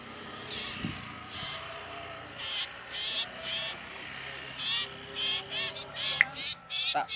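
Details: Common iora (Aegithina tiphia scapularis), a native Javan bird locally named for its 'ciiitu' call, giving short, high, buzzy chirps about every half second to second, with faint voices and low background noise.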